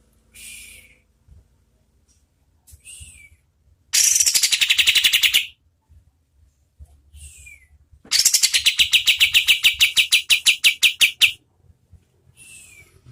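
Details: Oriental white-eye in full song at medium speed, used as tutor audio for competition birds: two loud, rapid buzzy trills of sharply pulsed high notes, each lasting one to three seconds, separated by faint short chirps and brief descending whistles.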